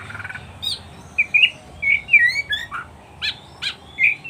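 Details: Kacer (oriental magpie-robin) recorded to help train pet birds: spaced short whistled notes and trills with a few sharp clicks, over a faint background hiss.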